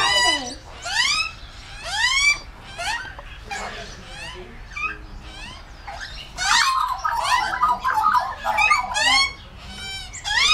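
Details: Wild Australian magpies, adults and a noisy juvenile, fed fresh mincemeat in a backyard in the morning: loud, harsh, rising and falling wavering squawks in repeated bursts, with softer chortling notes and a person speaking briefly.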